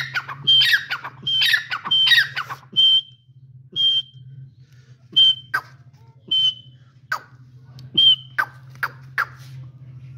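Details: Caged grey francolin, known as Dakhni teetar, gives loud ringing calls. Three quick harsh bursts with piercing whistled tones come first, then sparser single whistled notes and rasping bursts spaced about a second apart, over a steady low hum.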